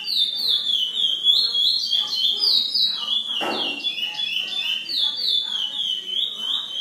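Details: Chestnut-bellied seed finch from Brazil singing: a loud, continuous run of clear, rapid warbled whistles, bright and fluty, with quick rising and falling slurs repeated several times a second, plus a brief broad noise midway.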